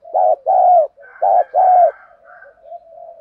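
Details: Spotted dove used as a decoy, voice style 'đồng pha thổ', cooing to spur wild males to answer: two short-then-long pairs of deep hollow coos, followed by soft trailing murmured notes.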